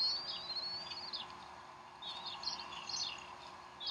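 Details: Bald eagle nest at Decorah, 12 April 2012, mother feeding the young at 3:10 pm Central Time; one long thin descending whistle, a pause, then several short high squeaky chirps.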